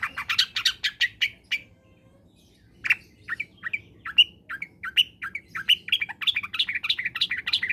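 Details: Long-tailed shrike in full song, used to stimulate other shrikes that are reluctant to sing: a quick run of rough chattering notes, a pause, then a long string of short warbled and chipping phrases.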